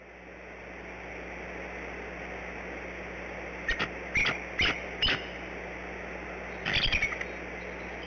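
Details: Bald eagle mother on the nest at Decorah, calling for her mate in early morning before a shift change at the eggs; a few short bursts of sharp high chattering notes, then a longer chattering series, over steady background hum.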